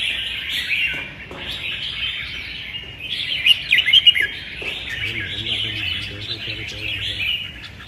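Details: A singing contest of red-whiskered bulbuls on 15/12 gives steady, lively chirping and warbled runs from overlapping birds, swelling into sharper, louder notes near the middle, with soft speech at the end.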